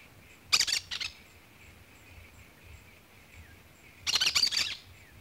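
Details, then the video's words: Harsh rasping screeches of a cactus parakeet: a pair of short grating bursts, a long quiet gap with steady high hum, then a longer run of several rapid scratchy notes. "CANTO do PERIQUITO-DA-CAATINGA"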